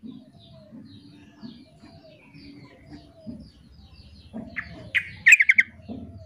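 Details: A female sooty-headed bulbul calls to draw males into answering back and forth, giving a quick burst of bubbly, liquid whistled notes after several quiet seconds, over a faint low murmur.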